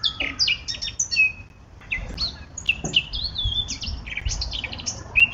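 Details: Varied warbling song of a Eurasian blackcap, bursts of rapid fluty notes and chirps repeated in phrases across five seconds, with faint low background noise.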